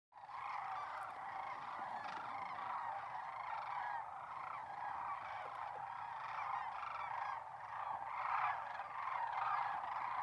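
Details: A dense chorus of Sandhill Cranes in a corn field near North Platte, Nebraska, in March 2021: many rolling, rattling bugles overlapping continuously from a large flock, with no quiet gaps.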